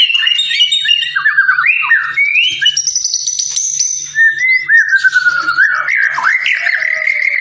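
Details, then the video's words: White-rumped shama song for training other birds: varied, rich whistled phrases with sliding, swooping notes, mixed with higher thin trills and quick rising flourishes, delivered continuously. "masteran burung murai"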